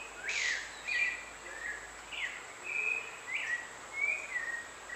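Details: White-throated manakin giving short, sharp, high whistles that slur up or down, about six in five seconds, against a constant background hiss.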